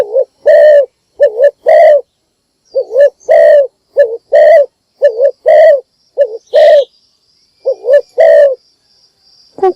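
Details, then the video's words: Decoy spotted dove calling in the morning to attract other doves. It gives repeated mellow three-part coos, a quick wavering pair then a long rolling note, delivered back to back. A brief buzzy insect-like hiss sounds near the end. "นกพิราบดัง birds - เสียงนกร้องตอนเช้าเพื่อเรียกนกของคุณ"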